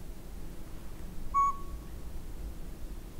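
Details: Northern pygmy-owl at Sea to Sky Gondola, giving one clear whistled toot with a short trailing tail, set against a low steady rumble of background noise.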